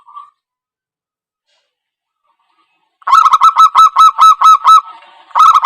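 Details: Zebra dove lure call used for trapping: a brief soft note, about three seconds of silence, then a loud run of rapid, harsh, evenly pitched staccato coos, repeated about twice per second, ending in a fresh burst.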